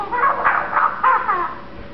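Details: Contented young male Eclectus parrot, one year old and kept as a pet, mumbling as he grows sleepy: two seconds of loud, throaty, run-together chatter in uneven rushes.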